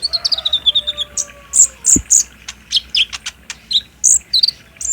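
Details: Olive-backed sunbird (kolibri ninja, green and spotted konin) lure song, meant for midday playback to make a captive bird respond and sing, recorded on a phone: rapid high, sharp chirps and slurred notes, with a long smooth whistle sliding down and ending in a sharp drop.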